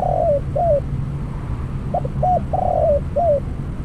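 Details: Spotted dove decoy for bird trapping delivers rhythmic coo phrases: quick short notes, a prolonged rolling coo and a falling final syllable, separated by a brief pause. Low rumbling noise behind.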